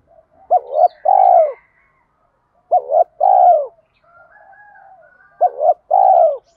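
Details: Spotted dove giving its fight-challenging coo, three phrases spaced about two seconds apart, each a quick double note followed by a longer, steady, husky low note, with faint quieter calls in between.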